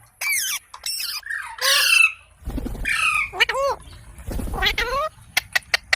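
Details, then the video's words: Rose-ringed parakeet kept as a pet, uttering rapid harsh squawks and bent screeching notes in quick succession, with muffled handling or background noise and a few sharp clicks at the end. "Ringneck Parrot Sounds"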